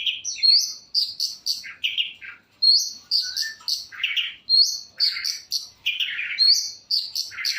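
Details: Full-variation song of a long-tailed shrike: quick rising whistles followed by buzzy, chattering lower notes, in short varied phrases separated by brief gaps.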